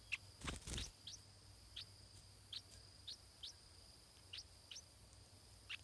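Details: In the nest, a stripe-throated bulbul chick begs as it is fed: thin, high chirps repeated irregularly, two or three a second, after a brief rustling burst, with an insect whine droning throughout.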